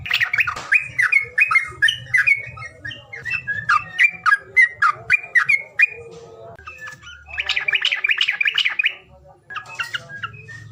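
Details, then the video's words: Lure call meant to stir quiet birds into singing: a long string of quick, scratchy chirps and short squawks, a brief lower warbling passage, then a dense cluster of bright notes, with faint low hum. "BORAK BARIK BOROK CIKROK,SUWARA PANGILAN BURUNG MALES BUNYI"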